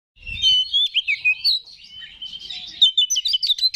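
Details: Oriental magpie-robin in full song, used as a lure to stir up other kacer: rich varied whistles and sharp chirps, rapid repeated notes and slurred phrases, one soft thump at the start.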